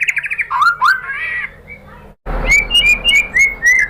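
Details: White-rumped shama lure song meant to make other shamas answer: slurred whistled phrases and a buzzy trill, a short pause, then a run of bright rising whistles repeated several times a second over a faint background hiss.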